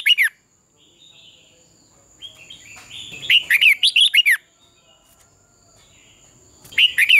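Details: Competitive dawn song of a red-whiskered bulbul used for training: a brief chirp, soft warbles, then a loud burst of quick slurred notes, a quiet gap and another bright burst at the end.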